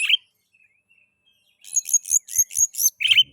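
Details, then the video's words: Oriental magpie-robin (kacer) song used as a lure to prompt other magpie-robins to sing: a brief sharp note, a quiet gap, then six or so repeated high buzzy chattering notes ending in a downslurred whistle. "Pancingan kacer ngeplay...cocok untuk merangsang bunyi kacer"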